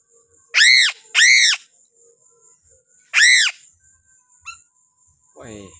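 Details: Endemic Sulawesi piping crow, held in the hand, gives two quick harsh arched screams, then a third after a gap, over a constant high-pitched whine, followed by a short click and a low rough sound.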